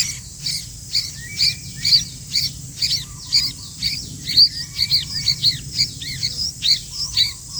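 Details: Lively sooty-headed bulbul, noted for its remarkable teamwork: rapid, uneven bursts of high piercing chirps, roughly two a second. A few lower whistles are mixed in, with light background hum.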